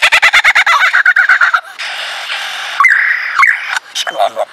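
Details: Male lyrebird performing his repertoire of sounds: a fast burst of loud repeated clipped notes, then a harsh rushing passage and sliding whistled tones ending in short choppy phrases.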